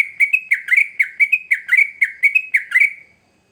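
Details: {'caption': 'Sooty-headed bulbul song used as a lure for young birds: a rapid run of bright chirping notes, each dipping then rising, about a dozen in three seconds, then fading out.'}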